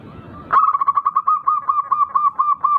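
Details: Local zebra dove with a rare, unusual rhythm, singing eagerly as a lure to make rival doves answer. After a quiet start comes an unbroken run of about fourteen quick, mellow cooing pulses at an even pitch.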